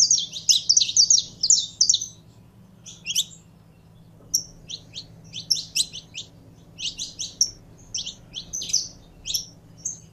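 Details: Saffron finch in a keeper's care, warming up to sing: a fast chattering chirp burst, a brief pause, then spaced bright chirps and buzzy couplets continuing irregularly over a low hum.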